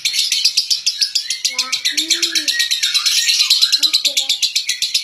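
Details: Central Java lovebird, a noted winner at local and national events, keeps up fast, high, repeated chirping while human voices talk softly underneath.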